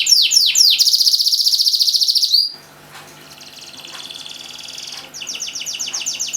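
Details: A canary from Semarang, its song played to coax silent canaries into singing, opens with fast descending whistles and a loud rattling trill, drops to quiet soft warbling mid-clip, then returns with sharp, rapidly repeated falling notes.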